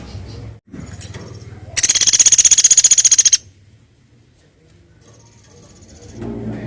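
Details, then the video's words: Woodpecker call played as a lure to attract birds: a fast, even rattle of about fifteen sharp, high, dry pulses lasting under two seconds, set between quieter stretches of faint rustling and low background noise. "Pancing burung platok bunyi"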